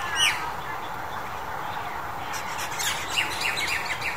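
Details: In February 2021, Crested Mynas give harsh, squawky chirps: one burst at the start, then a run of scratchy, overlapping notes in the second half, over a steady rushing background.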